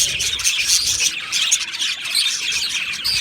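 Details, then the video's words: Two male Budgerigars pour out a continuous, very high, buzzy and scratchy warble with sharp squeaks mixed in. "2 Male Budgies Birds Sounds | Australian Budgies Birds chirping sounds"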